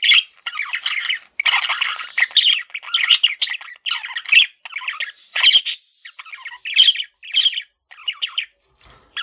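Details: Pet male budgie chattering almost without a break, a steady stream of scratchy warbles, chirps and squeaky notes with a faint thin whistle early on.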